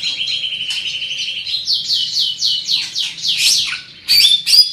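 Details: Big-bodied greater green leafbird singing loudly: a rapid run of buzzy high notes turning into a series of fast downslurred whistles, ending in sharp squeaky chips, with a faint low hum behind.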